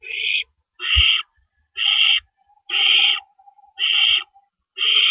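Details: Night at an owl nest, 4:31 AM on April 4, 2012, as adults come and go with rabbits. Coarse hissed screeches repeat about once a second, with a thin faint whistle and a soft thump between calls.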